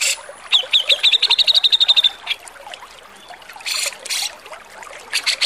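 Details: Javan grey-cheeked bulbul with a rough tutor song for cage birds: a rasping opening note, a fast trill of about twelve high notes rising slightly in pitch, then paired harsh, hissing bursts and a final scratchy flurry.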